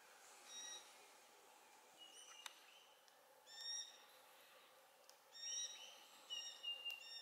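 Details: Glossy black cockatoo family with a fledgling, feeding in Casuarina trees near Bournda Nature Reserve at 5.30pm on 19/11/22, gives short, soft, harmonic calls, some faint, some nearer, a second or two apart in quiet.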